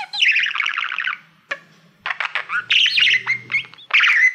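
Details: Pet male budgerigar singing toward a silver plaque used like a mirror: a rapid buzzy trill, a pause with one click, then chattering warble with short high whistles and squeaky chirps.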